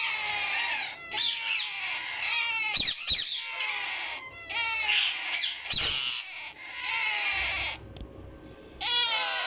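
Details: Rose-ringed parakeets, a caged breeding pair with their chicks; loud, harsh, screeching squawks in overlapping bursts, some with falling slurred notes, separated by short quieter gaps.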